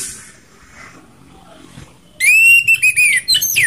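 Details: Orange-headed thrush, anis merah, in a mix of rough and slow ngeplong songs meant to spur other thrushes to sing: quiet at first, then loud clear whistled phrases, slurred and rising-falling, given in quick bursts over the final second and a half.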